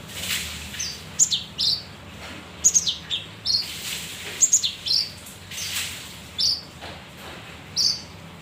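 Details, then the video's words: Lure sound from a male leafbird (kinoi): quick, very high chips and short squeaky notes, clustered in bursts with brief pauses, over a low background hum. "pancingan kinoi jantan"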